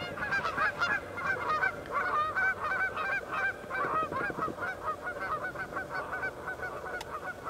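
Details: Canada geese on open water as two fighting geese, tangled for about ten minutes, are separated by three other geese and two loons; a continuous chorus of overlapping nasal honks, rapid and irregular, several callers at once.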